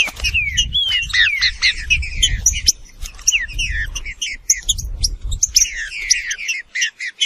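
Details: Green-winged saltator (Saltator similis), the true trinca-ferro, in a dense run of chirps and sharp notes with a few clear whistled slurs dipping downward, over low rumbling background noise.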